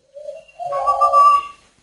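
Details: A very tame male spotted dove, caught in the mountains and hand-raised from young, gives a soft, low hoot followed by a longer, throaty, slightly rolling coo, the whole phrase lasting under two seconds.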